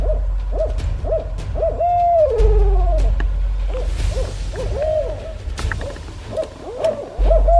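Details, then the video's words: Barred owl, listed among the scariest bird sounds, hooting in a rhythmic series of short rounded hoots about twice a second, broken by one long drawn-out hoot that slides downward, over steady low background music. "#6 -barred OWL"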